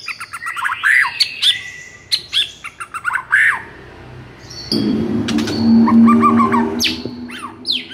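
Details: Agitated white-rumped shama (murai batu) in full song, used as a lure to prompt silent shamas to sing: rapid varied whistles, chirps and slurred rising notes, a brief lull midway, then a steady low hum beneath further phrases.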